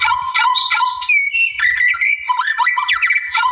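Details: Rival-provoking song of a wild white-rumped shama: rich, varied whistled phrases, steady held tones broken by quick rising and falling slurs, dense and unbroken throughout.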